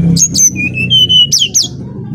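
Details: Brown-chested jungle flycatcher from Bali, lure song fragment: a few high whistles and long steady whistled tones, then two sharp swooping notes over a low rumbling background.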